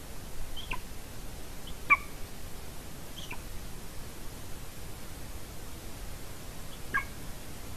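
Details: A female golden eagle at a Latvian nest camera, 30 January 2019 around 14:24, gives four brief, high, thin yelps spaced irregularly a second or more apart over a steady low wind rumble, before jumping onto and destroying the camera.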